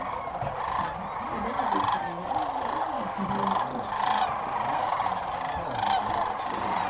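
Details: Migrating sandhill cranes at dusk along the Platte River near Alda, Nebraska, a vast flock: a massed wall of rattling, bugling calls swelling and easing in loudness, with a low murmur of human voices beneath.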